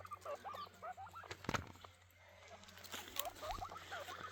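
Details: Grey francolin birds calling: a run of short, rising-and-falling whistled notes repeated in quick series, paused midway by a few sharp knocking bursts, then resuming, over a steady low hum.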